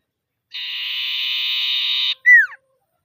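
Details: Common iora calling rivals in the 'ngetir' style, a lure to get silent birds singing: a steady buzzing high trill of about one and a half seconds, then a clear whistle sliding downward, nothing else audible.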